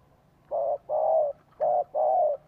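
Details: Spotted dove call used as a decoy to lure wild birds and prompt kept doves to coo: four clear mid-pitched cooing notes in two pairs, each note steady and slightly falling, over a quiet low hum.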